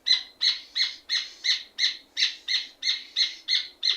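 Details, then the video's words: {'caption': 'Rufous hornero, also called red ovenbird, singing energetically: a fast, steady series of loud harsh notes, about three per second, each a broad burst with rich harmonics, continuing evenly throughout against a quiet background.'} "Red ovenbird sound effect - Rufous Hornero sound effect"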